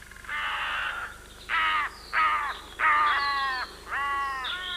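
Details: Common raven, one of a pair nesting in bare branches in mid Wales woodland in spring with fledglings almost ready to leave, gives five harsh rasping calls, each about half a second, at an uneven roughly one per second.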